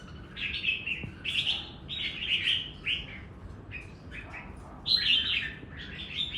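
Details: Doubled-style song of a red-whiskered bulbul: a series of separate short warbled whistles, each a quick up-and-down slur, spaced about half a second apart, with a louder phrase toward the end.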